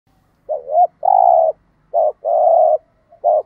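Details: Spotted dove, male and female, stimulating coos used in training birds to coo; soft low hooting notes in a short-long pattern, a brief double note then a drawn-out coo, repeated, in quiet surroundings.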